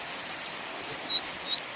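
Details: Grey wagtail (Motacilla cinerea): a tiny tick, then two piercing high notes close together, then a bright upslurred whistle fading into a brief weaker note. Background stays quiet.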